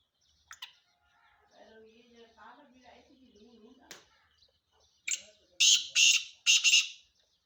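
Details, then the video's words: Male black francolin calling: after a stretch of human speech, three loud, harsh, grating bursts follow in quick succession near the end, each about half a second long. "کالا تیتر کی اواز"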